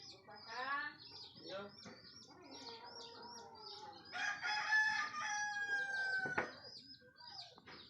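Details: Rooster crowing at dawn, heard on waking as a sign that morning has come: a loud, harmonic, drawn-out crow in the second half, over a steady chorus of high, repeated chirps from other small birds.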